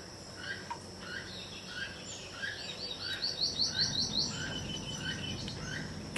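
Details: Keel-billed toucan on a jungle farm in Belize, heard in the background, giving dry croaking notes steadily about twice a second, with high chirps from another bird and a constant insect whine.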